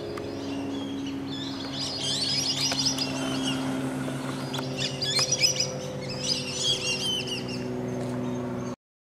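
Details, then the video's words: Black-bellied whistling ducks calling as a flock flies fast over a central Florida backyard at sunset, heading from a lakeside roost to fields; dense overlapping whistles in bursts, with a low engine-like hum beneath. "Black Bellied Whistling Duck Flock Calls"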